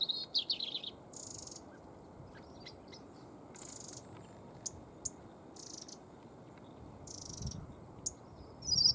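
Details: A European robin sings at Stiffkey saltmarshes on the Norfolk coast, UK, on 11 October 2015 at 9:18 am: thin, high, wistful phrases of short trills and sweet notes separated by brief pauses, over soft hiss.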